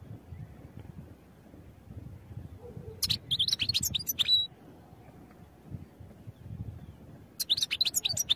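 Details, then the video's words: European goldfinch song, recorded for training birds: a short burst of fast tinkling, twittering notes, a pause with only low background rumble, then a second brief twittering phrase near the end. "Goldfinch Songs for Training"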